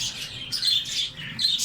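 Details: Several Australian parrots keeping up a busy, high-pitched chatter of warbled chirps and squeaks, rising into brighter bursts every half second or so.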